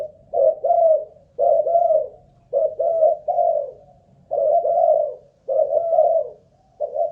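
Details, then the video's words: Caged spotted dove of a Malaysian line, kept as a ground decoy bird, tested for cooing stamina: low mellow coos in two- and three-note groups, repeated roughly once a second with short pauses, in a quiet indoor setting. "Cu Gáy Mồi Đất || Test nước bền chim cũng thấy khá ổn"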